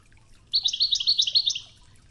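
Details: Goldfinch in the Wedani style, a Toghza phrase from a training tape with river water sounds: one rapid run of tinkling, jumbled high twitters lasting about a second over a faint watery hiss.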